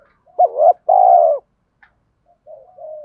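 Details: Spotted dove cooing meant to prompt other doves to coo: a short rising double note, then a long steady purring coo, followed by soft trailing murmurs.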